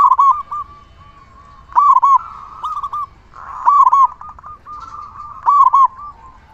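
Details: Local zebra dove, a loud singer used to lure and train quiet zebra doves; four bold, stuttering, mellow coo phrases come roughly every two seconds, joined by gentle sustained purring trills.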